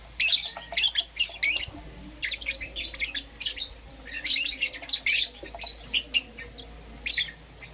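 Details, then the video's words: Euwing Green Opaline and Lutino lovebirds chirping in the morning, piercing high notes delivered in spaced clusters of quick repeated tweets. "Lovebird Chirping Sounds"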